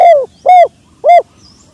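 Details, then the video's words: Spotted dove, sấm chuông cooing meant to stimulate males, females and wild birds: three loud arched coo notes about half a second apart, the first drawn and falling, recorded very close and overdriven. "Tiếng chim cu gáy sấm chuông cực chất cực hay kích trống kích mái kích bổi"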